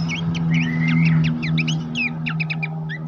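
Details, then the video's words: Horsfield's babbler training song for contest birds: quick chirps and short slurred whistles with one longer level whistle, over a strong low droning hum. "masteran mewah khas pelanduk semak cetak jawara dilapangan lomba"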